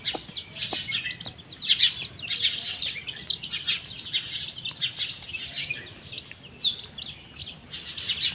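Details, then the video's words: Chicks with their mother hen while eating: a dense, continuous chorus of high, thin peeps, many short upward- and downward-slurred notes overlapping, with a few faint soft knocks. "Chickens and chicks eating sound"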